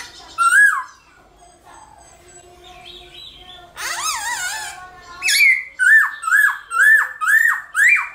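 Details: Black-throated laughingthrush singing in the morning in competitive 'hót đấu' style. Loud clear whistles are followed by a burst of harsh, buzzy notes, then a run of about six downslurred whistled phrases, repeated roughly every half second.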